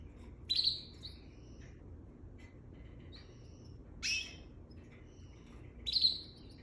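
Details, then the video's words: Pair of canaries fighting: short harsh, buzzy high-pitched squawks in three separate bursts about two seconds apart, with faint chirps between, over a quiet background. "Canary couple fight"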